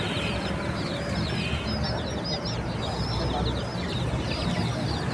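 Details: Crowded chick chirping, high quick peeps falling in pitch and overlapping, with a low steady hum and a faint murmur beneath the flock.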